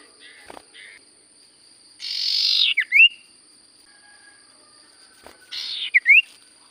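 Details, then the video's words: Sirtu cipoh, a Common Iora, gives two short phrases about four seconds apart, each a rough buzzy burst ending in a sharp V-shaped whistle, with a thin steady whine behind. "Burung sirtu cipoh gacor suara paling Top cer"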